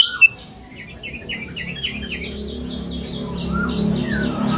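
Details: Sooty-headed bulbul lure song (kicau pikat kutilang sutra) used for bird trapping: a run of short, sharply inflected whistled notes climbing then levelling into an even repeated series, with a faint low hum beneath.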